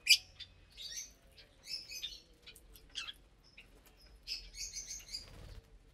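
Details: Lovebirds at morning mealtime on vegetables and grains; scattered sharp, high twittering chirps, some rising squeaks, with a brief low thump near the end.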